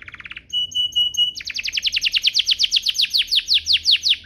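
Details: A canary's lure song for stirring other canaries to sing. A brief trill and level whistles lead into a long, even run of rapid descending notes.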